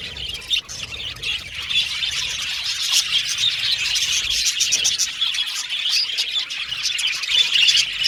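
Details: Chirping budgerigars giving contact calls for companionship; quick, irregular high chirps pile into constant chatter that grows slightly louder toward the end.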